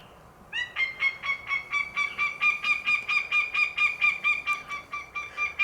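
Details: A Northern Goshawk alarm call played from a Bluetooth speaker in the mountains in early season to draw out nesting Sharp-shinned hawks: harsh, nasal kek-kek-kek, about two loud, even notes per second, repeated steadily over faint hiss.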